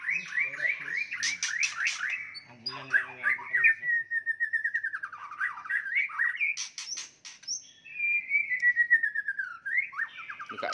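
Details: White-rumped shama fighting song to provoke rivals; rapid trilled whistles and harsh bursts, a steady falling trill, then drawn-out whistles with a sharp rising ending.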